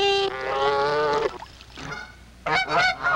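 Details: Wild Canada goose honking loudly at a Missouri staging area, where flocks leave in early May and head north to Hudson Bay breeding grounds; long nasal honks followed by a pause, then a burst of sharper, rapid honks.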